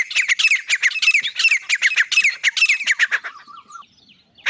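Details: Grey francolin calling loudly: a dense chain of harsh, shrill notes about three seconds long, fading into a faint thin whistle before one more call.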